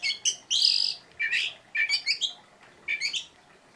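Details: Oriental magpie-robin singing in short 'tembakan' bursts: a harsh buzzy phrase, then clusters of two or three bright rasping chirps separated by short silences.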